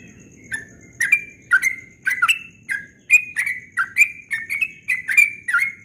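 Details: Yellow-vented bulbul in rapid ropel song at dawn, starting with a couple of soft chirps before breaking into a quick, unbroken string of loud, bubbly, slurred notes that carries to the end.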